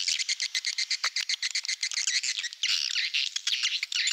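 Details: Swiftlet lure sound of the Malaysian style used in swiftlet farming: rapid, evenly pulsed high chirps, several per second, becoming a denser twittering blend in the second half.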